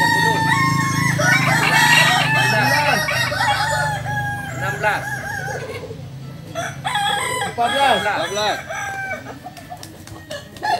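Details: Balenggek chickens competing in a crowing contest, landiak class, on a Sunday at Ampang Kualo, Solok city. Many rapid arched crow notes repeat in stepped series from overlapping roosters, over low hum and voices, fading toward the end.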